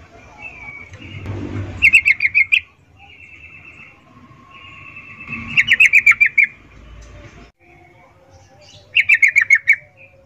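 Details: Female sooty-headed bulbul's 'ngecuplik' breeding call to attract males: three bursts of quick sharp chips, each preceded by a thin, level, buzzy whistle, with a brief low thump near the start.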